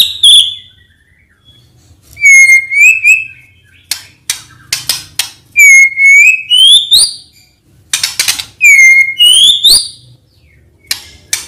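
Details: White-rumped shama song played in the morning as a lure to coax reluctant shamas into singing: loud clear whistles rising from low to higher notes, alternating with sharp broadband clicks and harsh bursts, phrases spaced by short pauses.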